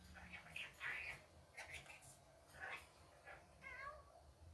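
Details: Rainbow lorikeet (Trichoglossus moluccanus) in the daytime giving about six short, squeaky, chattering calls over five seconds, some rising or wavering, against a low indoor hum.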